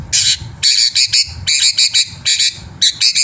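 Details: Black-winged myna training recording, a lively full-repertoire song used to lure other birds into singing: harsh, buzzy broadband bursts in quick runs, some long and some clipped, over faint low rumble.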